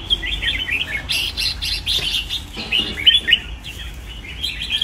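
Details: Lively warbling from a red-whiskered bulbul held in a new-style training cage: rapid chirpy whistled phrases that tumble up and down, mixed with a few rustling sounds and a low hum.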